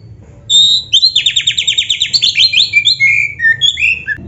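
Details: Song of a black-breasted oriental magpie-robin (kacer dada hitam), a caged songbird, played to stimulate other caged birds to sing: a rapid run of about twenty sharp repeated notes, then varied whistled phrases sliding up and down, over a faint low hum.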